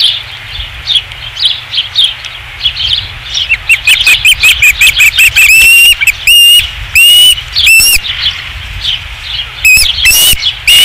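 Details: Osprey at its nest, Dunrovin Ranch, 5 August 2016: soft chirps quicken into a fast string of sharp whistles, then loud, drawn-out, arching cries spaced about half a second apart, with wing or nest rustling.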